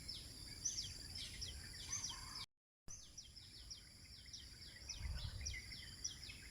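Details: Sunrise bird chorus at Eco Park 1, Bandar Seri Botani, Ipoh, Malaysia. Quick high chirps slide downward again and again, with a brief silent break partway through and a constant shrill background drone.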